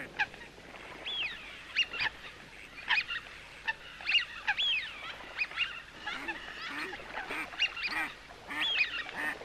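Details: Coots calling: many short, nasal, honking notes overlap in a busy chorus, as if several birds call at once, with quick rising and falling squeaks between louder bursts.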